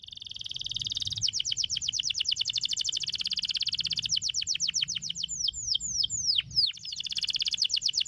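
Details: Canary song used as training therapy for fast, continuous singing: a long run of rapid high trilled notes, broken by a few slow deep downward-sweeping notes near six seconds, then resuming the quick trill.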